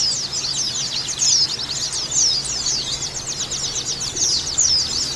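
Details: Female white-eye calling, played to raise breeding drive and make captive white-eyes sing keenly: rapid high-pitched twitters and short slurred chirps pour out without pause, with a steady low background hum.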